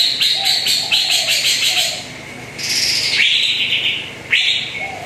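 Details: Cucak ijo, the greater green leafbird, on a lure recording for a bird that seldom sings: quick pulsed chattering notes, then two loud sweeping whistles swooping up and trailing down, with faint low whistled notes.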